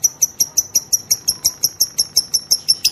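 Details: Female lovebird giving the long ngekek chattering song, used to provoke other lovebirds to sing: a steady series of sharp, high, rasping notes repeated about six times per second, with clean, quiet background.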